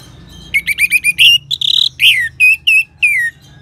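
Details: Orange-headed thrush song used as a training sound to prompt other birds to sing: a loud, rapid series of short whistled notes near the start, then longer slurred, descending whistles with pauses between phrases.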